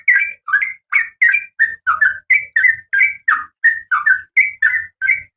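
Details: Female oriental magpie-robin in breeding condition calling the male: a steady series of short, whistled, two-part chirps, several each second, some slurred downward and some rising, with faint low rumbling underneath.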